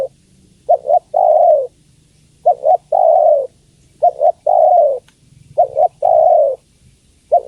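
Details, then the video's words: Low hoarse cooing of a female spotted dove calling the male. Short paired notes run into a longer, falling coo. Four full phrases are repeated regularly, and a fifth starts at the end. "Suara Tekukur Betina Memanggil Jantan"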